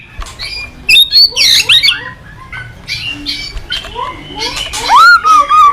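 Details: Caged white-rumped shama (murai batu) in lively song, used as a lure to train young shamas: harsh squawking notes mixed with rising whistles and rapid chattering phrases, loudest bursts near the end.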